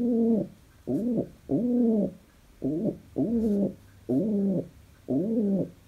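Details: Pet pigeon described as very happy gives low, throaty, wavering coos in seven short bursts, roughly one every second, in a quiet indoor space.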